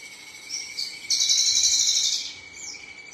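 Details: Male Javan bush lark from the Tegal and Brebes area gives a high, sizzling buzzy trill of about one second, framed by short thin slurred notes, with a steady faint insect-like whine underneath.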